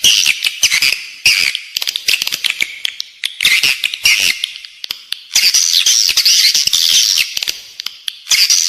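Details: Edible-nest swiftlets, a calling recording for the inside of a swiftlet building: bursts of high, buzzy twittering mixed with quick clicking patter, pausing and resuming several times.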